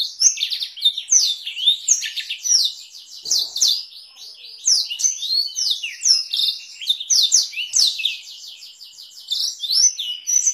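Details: Masteran recording of a canary singing with Blackthroat-style rolls for tutoring canaries and Oriental magpie-robins; dense high chattering warble with quick downslurred notes and rattling trills, briefly softer near the end.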